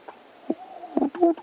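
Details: Laughing doves at sunrise on an April autumn morning in Kruger National Park, giving soft, low, bubbling coos in a brief quick run against a quiet background.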